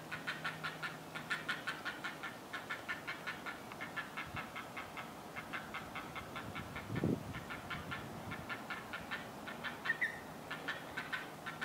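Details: Great blue heron chicks in a nest high in a longleaf pine, whining and crying for food while an adult stands by; rapid rhythmic clattering ticks in bursts, several per second, pausing around the middle, with a low thump.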